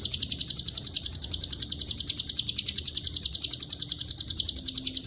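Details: Lovebird ngekek panjang, the long trilling chatter, mixed with cililin and canary phrases; a relentless high, buzzy series of quick notes, about three to four per second, steady throughout.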